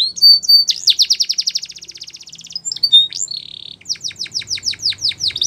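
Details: Canary song with a fast, even, high trill, a short buzzy held note, and then a run of sharply falling whistled notes repeated several times a second.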